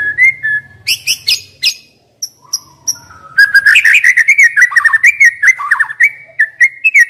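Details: White-rumped shama song meant to coax young wild-caught birds that have stopped singing: a few separated whistles and high notes, a brief pause, then a dense, fast run of warbled whistles and chips.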